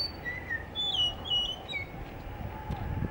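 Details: Blue whistling thrush singing in Hunza, active especially in the morning before sunrise; a few sweet whistled notes, one lower and falling, then higher slurred ones, fading into low rumbling noise in the last second.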